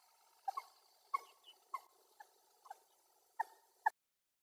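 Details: A series of short, sharp clucks from a wild common moorhen, roughly seven notes spaced about half a second apart over a soft background hiss; recorded on a Sony FDR-AX100.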